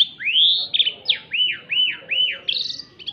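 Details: White canary with a loud twisting song: long rising whistled sweeps, then a run of four repeated downslurred notes, ending in quick buzzy trills.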